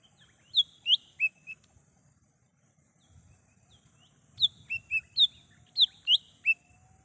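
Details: Lesser green leafbird singing in the wild, a recording meant as a lure and call for trapping: bursts of clear whistled notes sliding down from high to mid pitch, a group of four then a livelier run after a pause, with a faint low hum behind.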